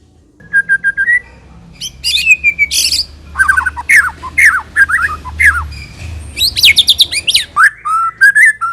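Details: Energetic, varied song from a white-rumped shama (murai batu): repeated whistled notes, slurred downswept phrases and harsh chatter in quick succession over a low background hum.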